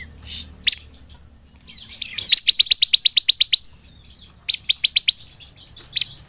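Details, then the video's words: Ciblek (bar-winged prinia) in full, vigorous song in a style that imitates the golden grasshopper. Rapid series of about ten sharp, high, evenly spaced chirps, then a shorter burst of four and scattered single notes over a faint low hum. "BURUNG CIBLEK GACOR NEMBAK BELALANG EMAS"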